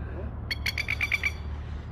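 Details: Masked lapwing (spur-winged plover) chicks in Australia, just dropped off by their mother, give a quick run of about six high, thin peeps in under a second, over a low background rumble.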